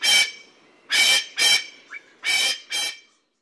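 A pheasant gives five harsh, raspy squawks at uneven intervals over about three seconds, with a faint short note between them.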